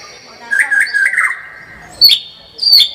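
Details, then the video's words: Murai batu, the white-rumped shama, in gacor tembakan song: a wavering warbled whistle lasting about a second, followed by two sharp, loud, high squeaky notes spaced roughly half a second apart. "kicau murai batu gacor full tembakan"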